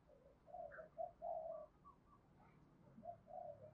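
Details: Spotted dove giving giọng thổ cooing tinged with đồng: soft, muffled low coos in an uneven run, partly buried in steady background noise.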